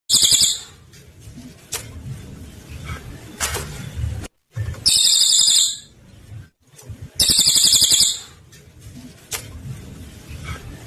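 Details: Cililin singing tembakan, loud shot-like song bursts, used as a master recording for training murai batu. Three shrill, very high, rapid buzzy bursts of about a second each, separated by quieter stretches of clicks and rustling.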